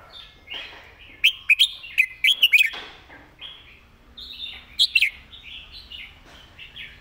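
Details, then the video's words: Red-whiskered bulbul singing a quick master-song phrase. A run of about six loud, lilting whistled notes early on is followed later by a shorter double note, set against faint background chatter of birds. "เพลงดี"ปากไว เดินเพลงย้ำๆ เพลงแม่บท"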